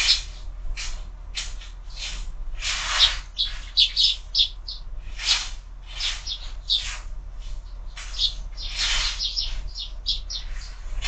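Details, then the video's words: Several sparrows at a feeder on a window in the morning, lively overlapping chirps and tweets, some louder bursts, soft low hum underneath. "Воробьи в кормушке - утро"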